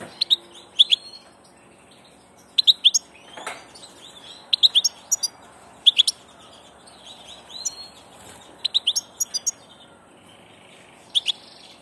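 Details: Wild goldfinch, described as a passage bird, giving sharp, high twittering notes in short clustered bursts separated by pauses, with faint background chirping.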